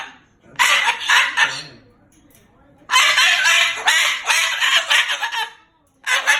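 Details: Pet Moluccan cockatoo, angry and cursing loudly, producing harsh, raspy, speech-like squawking in several bursts separated by pauses.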